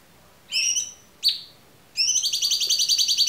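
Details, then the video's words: Cucak cungkok in a clear-voiced tutor recording for murai batu, cendet, kacer and konin: a short buzzy note, a sharp falling chip, then a fast, evenly pulsed buzzy rattle. "MASTERAN AMPUH CUCAK CUNGKOK suara jernih"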